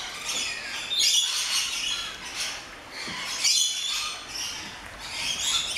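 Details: Flock of rainbow lorikeets in a walk-in aviary at an orchid farm in Luttelgeest, visited at opening time; dense, continuous harsh screeching and chattering from many birds, swelling in loud bursts around one and three and a half seconds.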